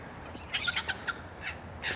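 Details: Western (Australian) magpies in the background of a suburban street park on a morning after overnight rain give harsh, scratchy squawks in a short cluster, then two more rasping bursts about half a second apart, over faint hiss.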